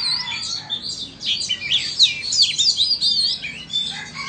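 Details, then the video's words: Vietnamese versus Indonesian Oriental magpie-robin singing duel: fast, high, clear whistled sweeps, rising and falling in quick succession, crowd together in a lively burst, with a few softer lower whistles at the end. "Chòe than VN đấu với Chòe Than Indo"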